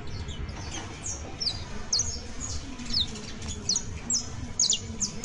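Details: Saffron finch, locally called canario criollo, singing a series of sharp, high, downward-sliding chirps repeated about every half second, some doubled, over a steady low rumble of background noise.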